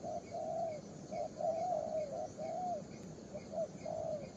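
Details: A young spotted dove, vigorous, repeats mellow falling coo phrases, some short and some long, almost without pause. Faint small bird chirps sound higher above, with steady outdoor hiss.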